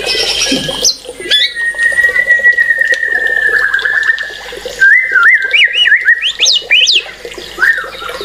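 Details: A white-rumped shama sings a long, steady whistled note that breaks into a trill, followed by rapid zigzagging whistles that climb and fall, then short sharp calls.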